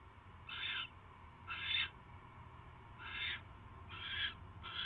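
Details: Hissing, rasping screeches from barn owls in a nest box at night on 22 January 2016, while a mouse is delivered to the nest; five broad, breathy bursts spaced roughly a second apart, with a low background hum.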